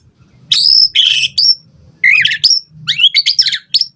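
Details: Intense white-rumped shama song used to coax a response and train other birds: loud high upslurred whistles and harsh chattering bursts in quick succession, with a faint low hum underneath.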